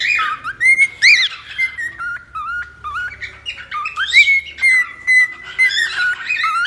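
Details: Cockatiel sounds meant for taming a cockatiel: long level whistles gliding up and down, punctuated by short harsh squawks and quick chirps at irregular intervals.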